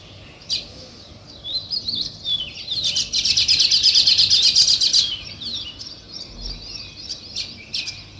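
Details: Natural chirping of sparrows, also called weaver birds: scattered sharp notes build into a rapid, even chattering trill in the middle, then thin out again to spaced chirps from several birds.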